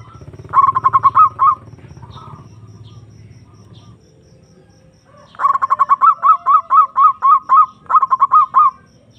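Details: Perkutut (zebra dove) lure call for drawing a rival: one short burst of rapid coos over low rumbling noise, then after a pause a long series of rising, hooked coos followed by a final quick run.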